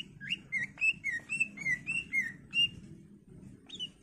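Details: Greater green leafbird singing vigorously in a full song packed with varied fillers, used to prompt other birds to sing: a rapid run of clear whistled notes, some rising and some falling, several per second over a low background hum.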